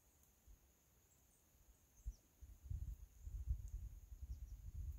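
Ruffed grouse drumming: deep, muffled thumps that start spaced and quicken into a low rolling flutter, with a faint steady high hiss behind.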